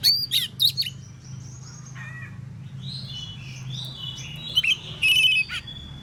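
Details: Oriental magpie-robin singing ngeplong-style in the morning to draw answers from other magpie-robins: sharp high whistled notes at the start, a softer warbling stretch, then a louder cluster of clear whistles, with a low steady hum throughout.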